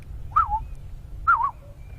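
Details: A Black-headed Oriole, a bright yellow bird with a black head, calls near a riverbed on a September summer morning safari drive: two liquid, fluty whistled phrases about a second apart, each dipping and rolling, over the low rumble of the vehicle's engine.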